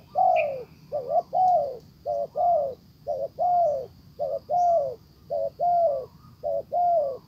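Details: Spotted dove used as a decoy, calling to lure a wild dove back; low mellow coos in repeated phrases, a quick double note then a long descending coo, about ten phrases, over a faint steady high-pitched hum.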